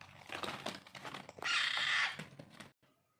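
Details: Alexandrine parakeet chicks during hand-feeding: clattering clicks and rough chatter lead into a single harsh, buzzy screech, then the sound stops abruptly.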